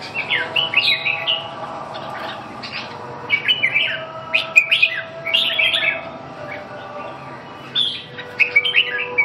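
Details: Rich warbling from a red-whiskered bulbul: several tight clusters of bright, slurred whistles separated by short pauses. The bird sings strongly near the end, with a low hum in the background.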